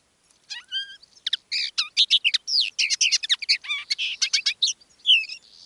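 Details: Common linnet, a caged decoy bird singing live: a fast, varied twittering of rapid chirps, buzzy notes and clear whistled slurs, near-continuous for about five seconds with no other sounds.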